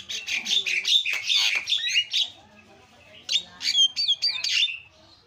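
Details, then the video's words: Javan myna pouring out dense scratchy chatter and buzzy notes, pausing, then adding looping whistled slurs in a noisy, restless song. "SUPER BERISIK JALAK KEBO SUARA ISIAN"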